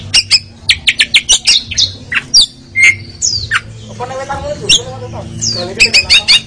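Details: Oriental magpie-robin song for training contest birds, rapid sharp chips and short whistles, interrupted midway by a harsh nasal squawking sound, then more quick high notes.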